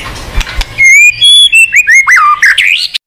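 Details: Song of a white-rumped shama, played to get a silent bird singing: a clear whistled note followed by a rapid series of varied slurred whistles, rising and falling, ending on a high twisting phrase.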